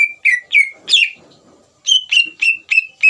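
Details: Greater green leafbird singing vigorously as bait song to provoke another leafbird to answer: clear whistled notes sliding slightly downward, about three notes, a pause, then five more in a steady quick series.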